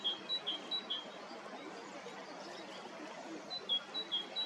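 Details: Bohemian waxwings (Bombycilla garrulus) in spring, 18 March 2026, Hrodna city, western Belarus, in what the observer believes is lekking while spreading mistletoe; thin, high, ringing trilled notes in two short bursts of several quick calls, over steady background hiss.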